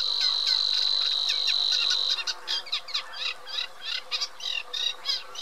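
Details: A steady shrill whine fills the first two seconds, then a Eurasian reed warbler breaks into loud, jerky chattering song with repeated grating notes.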